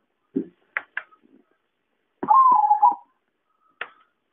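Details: Zebra dove (perkutut) lure call used for trapping birds: one rolling, pulsed coo about a second long, dipping slightly in pitch, set among sharp clicks and snapping knocks in a quiet room.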